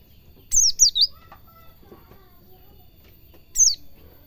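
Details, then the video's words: White-eye, locally pleci, singing 'ngalas cingjuitan' for cage-bird song training: a quick burst of three high, falling whistled notes, a longer gap with faint soft background sounds, then one more thin descending whistle. "Suara burung pleci belajar ngalas cingjuitan"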